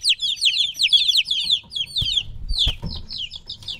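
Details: Three-week-old chicken chicks separated from their mother peep in fast overlapping high notes that fall in pitch, interrupted by a couple of soft knocking sounds before the cheeping resumes more sparsely.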